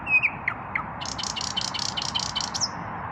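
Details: Evening song of an unpaired male common nightingale, chest raised while singing: a few clear whistled and slurred notes followed by a rapid rattling trill of buzzy repeated elements, against a constant low hum.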